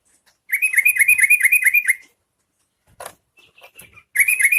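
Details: Yellow-vented bulbul sound used to prompt other bulbuls to sing: a fast, even run of harsh chattering notes, about ten per second, lasting under two seconds, then a brief rustle and scattered soft notes before another burst of chatter starts.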